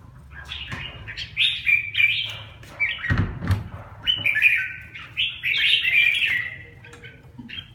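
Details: Red-whiskered bulbul, a caged bird being brought back into condition, sings a chattering run of short, bright, warbled phrases. A dull thump sounds near the middle, over faint low hum.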